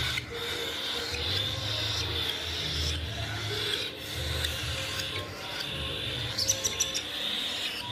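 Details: Baby cockatiel chicks at home give a steady, raspy, hissing chatter as they beg during hand feeding.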